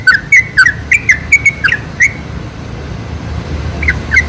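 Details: Lure recording of a sooty-headed bulbul, meant to draw bulbuls into singing. Quick chortling whistled notes burst out for two seconds, then pause, then return briefly near the end. Faint low background rumble.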